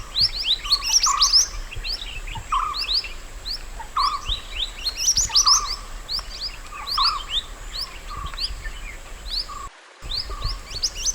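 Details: Natural mountain white-eye song for training other birds: short bursts of high, rapid chirping about every one and a half seconds, each joined by a lower flat whistle, over a steady high hum, with one short silent gap.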